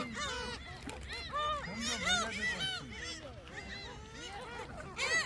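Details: A crowd of gulls at Dolmeori Beach, Hampyeong, gathers around a person tossing shrimp snacks on a cold afternoon with rain forecast. They give overlapping mewing, arched squealing calls, several each second and rising and falling in pitch, with people talking faintly underneath.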